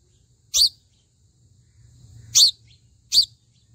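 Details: A sunbird at its nest gives three sharp, very high chips, spaced unevenly over a few seconds, over a faint low hum.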